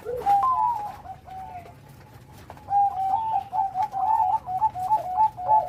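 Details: Bangkok zebra dove with a loud voice and complete rhythm: a few soft coos, a quieter gap, then a fast, rhythmic string of rolling, trilled coo notes.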